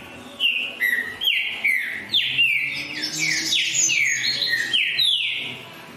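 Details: Green-winged saltator in full song, delivering a steady chain of strong whistled notes that swoop down in pitch, several rising to higher, brighter slurs midway through the phrase.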